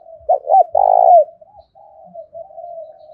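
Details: Fighting lure call of a spotted dove in 'thổ pha' voice: two quick, hoarse coos run into one loud, long, vibrating coo, followed by a quieter, level, drawn-out coo.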